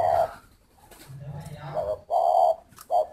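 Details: Hollow coos of a spotted dove, one at the start and more near the end, with a low humming sound and faint background murmur in between.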